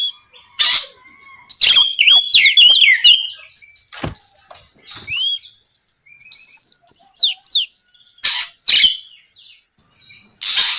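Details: Oriental magpie-robin singing nonstop at night to provoke rivals into answering: bursts of clear rising whistles and quick falling chirps separated by silent gaps, with harsh scratchy notes at the start and end.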